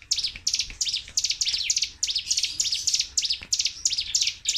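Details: Sunda warbler, or ciblek gunung, in continuous 'tembakan' song for training caged birds: high, thin, scratchy chirps strung into fast repeated bursts, close to three per second, with hardly any silence.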